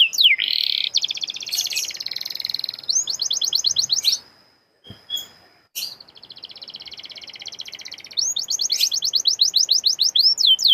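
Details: Canary singing in a lively, intense style, used as a lure to spur other canaries to sing: high buzzy rolled trills, then rapid repeated downslurred notes, a brief pause, and more rolls and sweeping notes.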